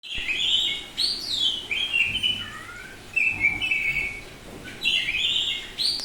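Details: Semi-tame Bali-type oriental magpie-robin in full open ngeplong song: loud clear whistled phrases, rising and falling, some sliding down, delivered in bursts about once a second with short pauses between.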